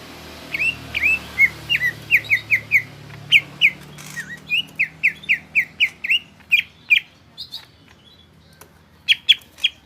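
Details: Greater green leafbird in busy gacor song, delivering hooked, slurred whistles in quick runs, interspersed with a few higher squeaks, pauses, and a final cluster of sharp notes against steady low background noise.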